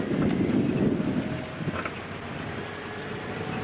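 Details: Vehicle engine drone with wind gusting across the microphone, loudest in the first second and a half, then a steadier hum; no animal sounds.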